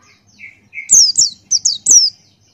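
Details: Male Buxtoni white-eye in energetic 'ngalas' song, beak wide open. Two soft, lower slurred notes lead into five loud, very high, downward-sweeping chirps delivered in quick succession.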